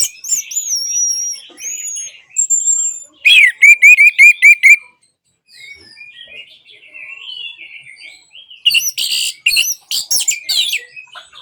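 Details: Orange-headed thrush song used as therapy to get silent birds singing: high slurred whistles, then a rapid run of six repeated buzzy notes, a quiet pause, and loud harsh scratchy bursts near the end.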